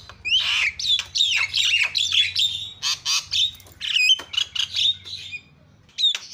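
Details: Javan myna calling to provoke other mynas into calling: continuous harsh squawks and scratchy chatter over a low hum, fading briefly before a final squawk.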